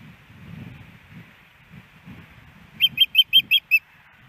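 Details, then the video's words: Female osprey at her nest in Hellgate Canyon, Missoula, Montana, on 10 September 2018, calling for fish from the male. After low rumbling, six sharp, high whistled chirps come in a quick, even run near the end. "Iris Calls For Louis' Early Fish"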